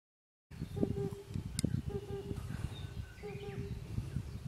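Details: Early summer 2021 in Ehime Prefecture, Japan, with two males and one female present: an Oriental cuckoo gives low, hollow doubled hoots, 'po-po', repeated every second or so over a steady low rumble of wind.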